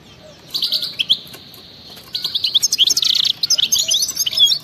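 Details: Goldfinch in wild-style 'batbata' song: a short sparkling phrase, a pause, then a longer run of rapid high chirps, buzzy trills and liquid twittering notes.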